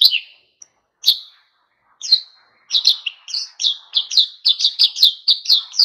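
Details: Oriental white-eye starting a wild-style song meant to provoke other birds: a few spaced, sharp high chirps, then an accelerating, steady run of rapid twittering notes.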